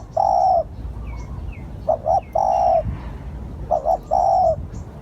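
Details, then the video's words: Spotted dove used as a lure bird, giving low hooting phrases: two short quick coos followed by a long drawn-out coo, repeated about every two seconds, with thin high chirps of other birds faintly behind. "Tiếng chim cu gáy gọi hay / เสียงต่อนกเขาได้ผล100% / Terkukur"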